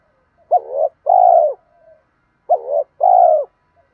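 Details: Spotted dove cooing to stimulate other doves to call, male and female voices: a pair of low, rounded coos around half a second each, a wavering note then a steady held coo, repeated after a pause, clean and loud.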